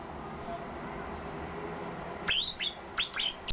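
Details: After nearly two seconds of background hiss, a white-eye gives four sharp down-slurred chirps of its unusual fill-in song, ending in an abrupt click.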